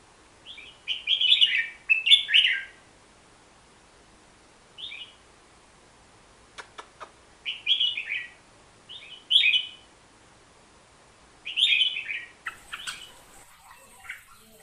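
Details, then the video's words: Hook-billed bulbul, a Bornean forest bird, singing short bursts of bright, slurred warbling notes in phrases of two to three seconds separated by pauses, with a few sharp clicks and a brief hiss near the end. "Suara Kicauan Si Merbah Jambul"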